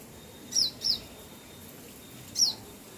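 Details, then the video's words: Wild bird chirping: three thin, high, sharply down-slurred chirps, two close together and one after a pause, over a soft steady background hiss. "bird Chirping sound"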